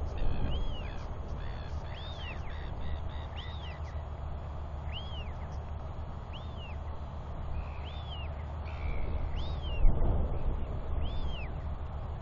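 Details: Royal albatross chick wheeing near its father during a feeding and preening visit, 9 June 2021; about eight arching whistles in irregular succession, with a brief thump near the tenth second, over continuous low rumble.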